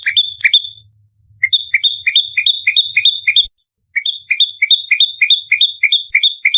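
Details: Bar-winged prinia in fighting mode, used as a lure, giving rapid dense bursts of sharp, high two-part chirps, a lower note followed by a piercing whistle, repeated about three times per second with a brief pause midway.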